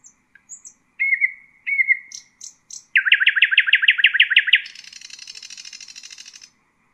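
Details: Tutor song of a nightingale in Husseini style for young birds: scattered high whistles, two slurred notes, a long rapid trill of loud pulses, then a softer buzzing rattle.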